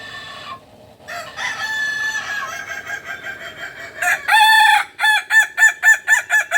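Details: Native kukuak balenggek chicken from Solok, West Sumatra, crowing: a long harmonic opening note, then stepped rising-and-falling segments and a fast train of short, evenly repeated syllables, about four per second, ending the crow.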